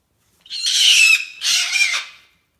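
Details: Pet cockatoo indoors giving two harsh, raspy screeches in a row, the first longer, both broad and noisy, with no other sounds between them.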